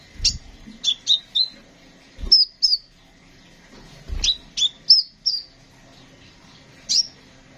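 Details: Konin sunbird song: sharp high notes that flick down into short whistled tails, grouped in quick series of two to four, separated by pauses, with some low thuds.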